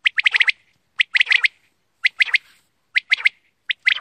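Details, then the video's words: Quail calling: short, sharp bursts of three to five clipped, slightly harsh notes, each group separated by a brief pause and repeated roughly once a second, with no other clear sounds in the background. "Bater Ki Awaz"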